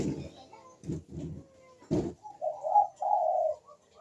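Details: Barbary dove coo used to coax quiet doves into cooing: dull knocking thumps at the start, then two low, steady humming coo notes in the second half.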